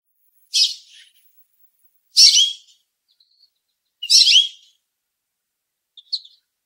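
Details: An American goldfinch on a small branch up in a tree in Southern Ontario, Canada, gives three bright, high chirpy calls about two seconds apart, then a fainter short one, with no other sounds.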